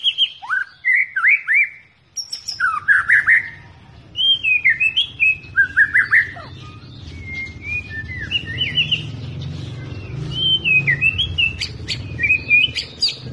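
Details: Long song of an albino white-rumped shama from Medan, taped 9 November 2020: varied slurred whistles and sharp upward flicks, later becoming quick high chips and trills, over a steady low background hum.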